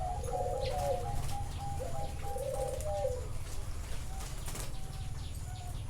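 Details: Zebra dove at a Thai bird farm in Chana: two quick trilled coo phrases in the first three seconds, then only a faint steady tone, a few distant chirps and low background rumble.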